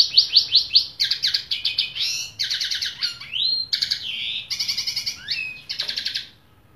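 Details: Tuffahi bird singing: rapid series of high, sharp chirps repeated in quick bursts, broken by buzzy trills and slurred whistles that slide downward, all bright and high-pitched with a quiet background.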